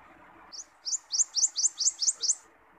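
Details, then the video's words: Wild common iora (cipoh) song used for training birds and luring: one brief high note, then a pause, then seven rapid rising chirps in an even, bright run, with faint continuous hum beneath. "Burung Cipoh Liar Suara"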